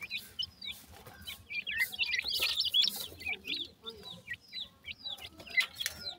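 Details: Francolin chicks, called Sindhi teetar, giving rapid high thin peeping chirps, many short downslurred notes overlapping at a fast irregular pace, with occasional clicks and soft rustling behind.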